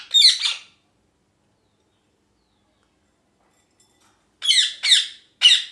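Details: Pet ringneck (rose-ringed) parakeet giving harsh, high-pitched screeching chirps: one double note at the start, then a silent gap, then three rapid screeches close together near the end, in a quiet indoor setting.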